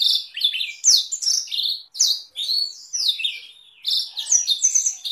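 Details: Canary singing Blackthroat-like roll variations for training other songbirds; short bursts of high twittering and downslurred whistles come in clusters separated by brief pauses.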